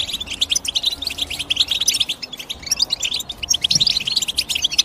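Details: Dense chatter of high European goldfinch chirps, sharp tinkling notes delivered in fast irregular runs from start to finish.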